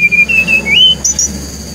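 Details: Brown-chested jungle flycatcher from Bali, singing as a lure for other birds: a steady clear whistle in repeated short segments that step upward, ending with two high whistled notes, with a low hum behind.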